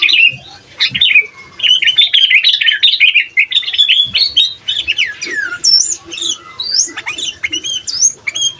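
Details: Energetic sooty-headed bulbul in full song, a recording meant to provoke rival bulbuls and tutor young birds: a long, nearly continuous stream of bubbly whistled notes, many sweeping up or down, rising into higher squeaky phrases toward the end.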